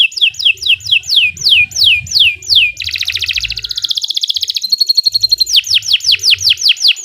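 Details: Canary in drawn-out 'gacor panjang' singing as a training master: a string of loud falling whistles, a dense fast trill, a thin steady tone, then more descending swoops.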